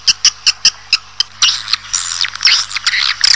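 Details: Calls of swiftlets, played to pull a colony into a building: evenly spaced sharp high chirps, then a dense run of twittering, buzzy chatter with a low hum behind.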